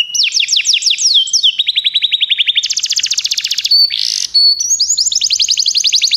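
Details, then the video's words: Begie canaries in a training recording deliver a rapid ladder of falling whistles, then long fast trills of evenly repeated notes, a brief harsh burst, and another bright rolling trill. "Canários Begie cantam muito"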